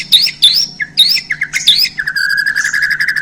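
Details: Borneo white-rumped shama sings hot 'isian' phrases after handling: several loud upslurred whistles in quick succession, followed by a buzzy, wavering trill, with a low hum in the background.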